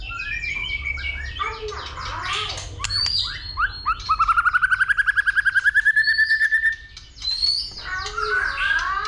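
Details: White-rumped shama fighting song, stimulated by a female: mixed chirps and whistles, then a fast rattling trill of rapid repeated notes lasting about three seconds, followed by more varied whistled phrases.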